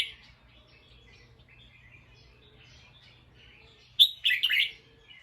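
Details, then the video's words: Alert bulbul calling in alarm after hearing a sound. Quiet twittering from other birds runs through until a loud, scratchy burst of three or four chattered notes breaks in near the end. "The sound of a bulbul Listened and then definitely alert."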